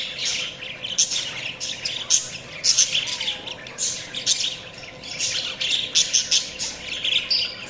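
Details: Budgerigars chatter in lively overlapping bursts of scratchy chirps and squeaks, pulsing roughly twice a second, over a quiet, steady hum.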